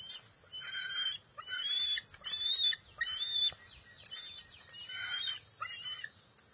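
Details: Wild bald eagle eaglet at its nest on June 23, 2021, competing with its mother over a fish she grabs before it steals it back; loud, harsh, high squealing calls with bright overtones, repeated roughly once a second in uneven bursts.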